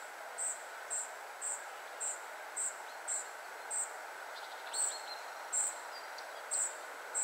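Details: At 51.943564, 20.122272 a spotted flycatcher family repeats high, thin call notes fairly evenly about every half second, joined later by a short burst of lower rapid clicks, with steady hiss throughout.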